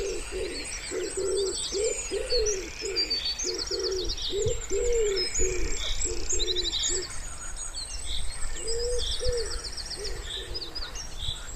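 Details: By a pond in spring, a wood pigeon gives soft, husky, low coos in a steady run of short phrases, while other small birds chirp and trill high above.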